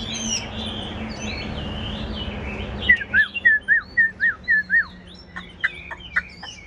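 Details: A pet Chinese hwamei in its cage warbles softly, then breaks into a clear series of about seven loud, downslurred whistles repeated evenly, followed by sharp clicking notes.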